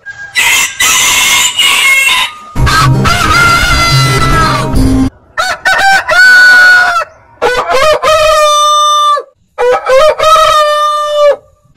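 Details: A series of roosters crowing with varied lengths, from rough hoarse crows to clean, ringing, level-held ones repeated near the end, with brief silences between.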